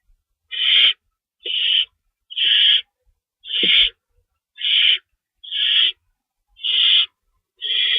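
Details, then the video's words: Owl calling from a lookout around 12:14 AM on March 24, 2012, after chasing an unknown owl; eight evenly spaced, harsh breathy screeches close to one per second against a silent background. "Mystery Owl Chase With Sound Effects"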